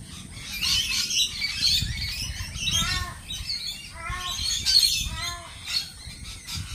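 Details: Lorikeets chattering and squawking in waves: bursts of high, raspy screeches alternate with short stuttering squawk series about every second, with a background murmur.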